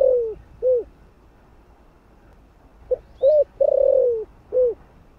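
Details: Low cooing of a spotted dove with a thổ-style voice, used to lure wild doves: the end of one phrase, a long pause, then a fresh phrase of a short note, an arched coo, a long wavering slide and a final coo.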